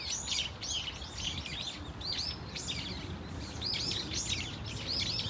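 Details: Brown-eared Bulbul flock at Dunsan Grand Park giving varied calls: many overlapping shrill, high chirps with arched and rising-falling notes, tumbling over one another almost continuously, with a low background rumble.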